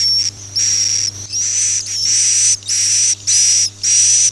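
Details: Swiftlet calling in the Akau ngaji style, rapid run of buzzy, hissing high-pitched pulses with a bright whistled edge, close to two per second, over a faint background hum.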